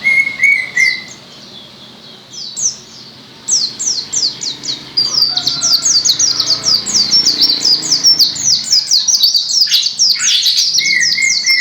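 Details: White-eye singing a long, fast stream of high, slurred chirps that builds to a dense, continuous twitter, opened and closed by a lower steady whistled note.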